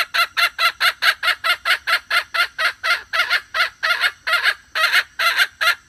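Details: Red junglefowl hen call used to lure males: a steady, unbroken stream of about twenty-five harsh, clucking pulses, a little over two per second, rough and bright in tone throughout.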